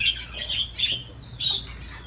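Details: Budgerigar at play on a swing, giving a few short harsh squawks and chirps in quick bursts separated by brief pauses, with a low hum underneath.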